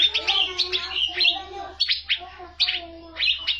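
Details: Asian fairy-bluebird in full energetic song, used to tutor young songbirds: quick bursts of sharp, ringing high notes with down-slurred whistles, separated by brief pauses, over a faint low electrical hum.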